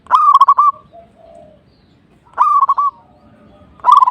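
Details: Zebra dove song aimed at provoking a rival: short bursts of rapid, stuttering hooked notes at mid pitch, repeated roughly every one and a half seconds, with faint low murmuring between bursts.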